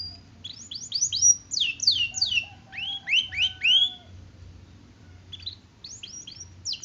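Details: Canary singing energetically in a training recording meant to lure reluctant canaries into song. Bursts of fast, descending high whistled notes come in quick series, broken by short pauses and a brief lower steady tone. There is a faint low hum beneath.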